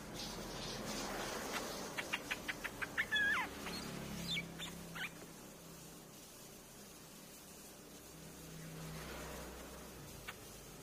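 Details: Streak-eared bulbul lure recording. A burst of rapid clicking chips and a brief slurred note in the first few seconds, then mostly quiet low rumble with a single faint note near the end.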